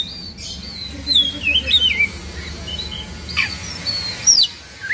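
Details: Agitated Oriental magpie-robin from Indonesia, fluffed with tail spread. Quieter, scattered descending whistled slurs and a couple of high sharp notes over a steady low background hum.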